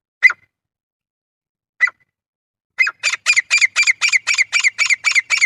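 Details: Male grey francolin calling, a call used for hunting: a few sharp, separate squawky notes, then a fast, regular run of harsh, ringing notes about four per second to the end, with no other sounds.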